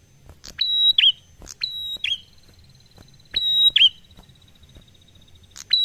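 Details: Prinia in the slow, easy 'ngalun' song used to entice other birds to sing: spaced phrases of a click, a drawn-out high whistle and a falling flick, with a faint thin tone trailing between phrases.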